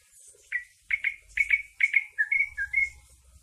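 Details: Sooty-headed bulbul (trucuk) singing a fill-in of green leafbird (cucak ijo) song: a rapid series of clear whistled notes, mostly paired, each sliding slightly downward and repeated a little over twice per second, with faint low rumbling behind.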